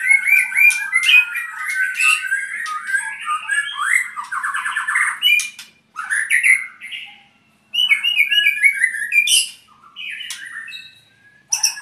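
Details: Albino white-rumped shama from Purwokerto, owned by a keeper, delivering a rich, varied song of rapid chattering phrases, sharp clicks and fast trilled runs, with brief pauses between bursts.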